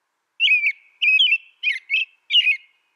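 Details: Five short caroled whistles from an American robin, the first two longer and slurred downward, the last three quicker and choppier, delivered in a steady run with no background noise.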